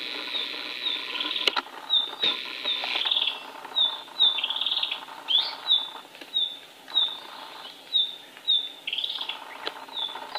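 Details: A mugimaki flycatcher singing in the wild in Indonesia: thin, high, sharp notes repeated about every half-second to second in a lively run, over a steady wash of insect hiss and soft rustles.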